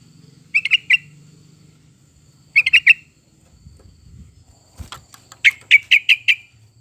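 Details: Sooty-headed bulbul singing, a recording meant to coax caged birds into song: brief chortling phrases of rapid liquid notes, the last one longer with six descending-then-even notes, a faint low hum and a click between.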